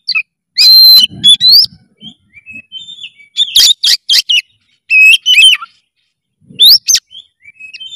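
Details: Oriental magpie-robin singing energetically in full emotion, with loud, clear whistled phrases: sweeping rising and falling notes in bursts, a pause, then a dense cluster of sharp notes and a final rising whistle, with brief faint low rustling.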